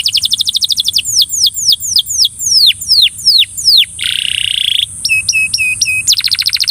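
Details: Belgian canary coaxing a fellow canary to sing. A quick trill leads into falling whistled slurs, then a flat buzzy rattle, a few hooked notes, and a closing rapid trill.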